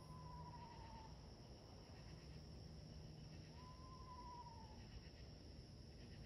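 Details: A screech owl in the woods gives two soft, wavering whistled notes about three seconds apart, each sliding slightly downward, over a steady high insect drone and low rumble.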